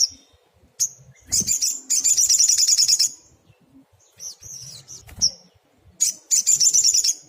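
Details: Brown-throated sunbird giving lively 'tembakan' song: thin high whistled notes leading into two rapid, dense, buzzy trills about a second long each, separated by quieter chirps and a few soft clicks.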